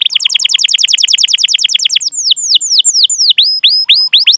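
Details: Canary singing long chirps and rolls to prompt other canaries: a fast rattling trill for two seconds, then slower, loud downslurred whistles spaced through the rest.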